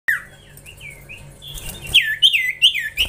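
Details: Young Common Iora giving clear, high slurred whistles; soft notes open the clip, then louder dipping whistles repeat about three times a second over a faint low hum.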